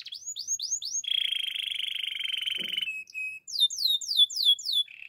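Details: Russian canary delivering a few falling whistles, a long sustained buzzy roll lasting nearly two seconds, short clipped notes, then a series of quick descending sweeps.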